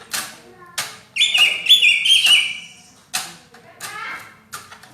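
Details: Greater green leafbird in vigorous, tight 'rapet' song likened to a kacer: sharp clicks around a high, buzzy, sustained warbled trill lasting over a second, then scattered chips.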